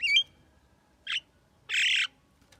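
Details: Javan myna, presented as able to talk, gives one rising whistled note, then a short harsh burst and a longer grating squawk, with pauses between each sound and only faint background hum.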